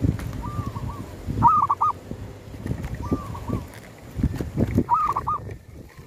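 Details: Zebra dove call used to attract wild doves at a cemetery: soft gliding coos answered by louder trilled three-note phrases, repeated twice, with dull thumps and handling knocks throughout.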